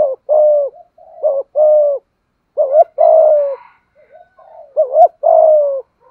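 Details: Spotted dove of Malaysian stock cooing in the methodical thúc gù style. Deep, mellow, two-part phrases repeat: a quick double-hump note, then a drawn-out level coo, about four phrases in six seconds. Faint soft chirps sound in the background.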